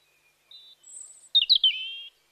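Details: Bird chirping: a few faint high whistles, then a loud burst of sharp chirps ending in a steady trilled note lasting about half a second.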